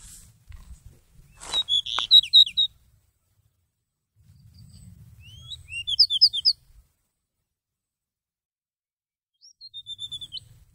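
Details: Seychelles magpie-robin singing as a trapping lure, November 2016: three short bursts of high whistled and chirping phrases, each a quick string of rising and falling notes, separated by several seconds of quiet with faint low rumble.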